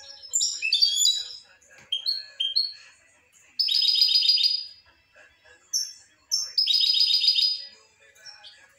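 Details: Song of a European goldfinch, a lively run of chirps and slurred whistles leading into rapid buzzy trills, twice delivered as sustained rattling bursts about a second long.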